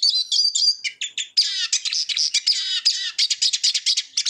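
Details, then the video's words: Song of a Eurasian siskin, a fast chattering stream of high twitters, brief wheezy buzzes and scratchy notes broken by short pauses, bright and continuous, with no background noise. "Eurasian Siskin Song - تغريد النعار"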